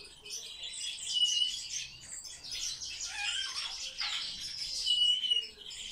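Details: Captive sparrows, kept and observed as very social birds, chatter together in a dense, high chirping chorus, with overlapping short tweets and a few thin whistled notes rising and falling throughout.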